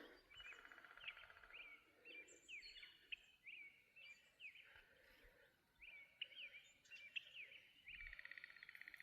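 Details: Woodpeckers, at least two or three, up in trees by a pond in a valley give sharp, high, down-slurred calls about once a second, overlapping from different spots, with faint outdoor background noise.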